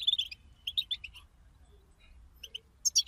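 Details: European goldfinch group twittering (bitbita) meant to get a kept goldfinch singing: a quick cluster of ringing chirps, a near-silent gap, then a few sharp high notes at the end over low hum.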